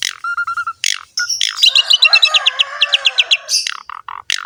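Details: Asian pied starling in full, lively filled-in song: a short run of low piping notes, harsh bursts, then a long rapid series of sharp high chips over a buzzy rasp, ending in scratchy notes.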